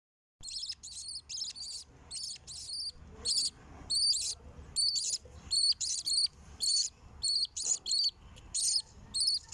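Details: Chicks being fed by their mother, giving bursts of very high, shrill, squeaky begging calls, each lasting under a second and repeated roughly every half second to second, with quiet gaps between.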